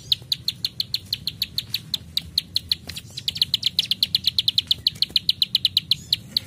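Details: Rapid "klik klik" clicking by a prenjak sawah, or plain prinia: dense, crisp high notes racing along for six seconds, briefly thinning before resuming faster.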